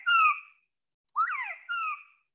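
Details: Northern Bobwhite covey call in Missouri, given by coveys of fall juveniles in early morning to tell other coveys their location: three clear whistled notes over about two seconds, a falling whistle, a rising-and-dipping slur, then a falling note.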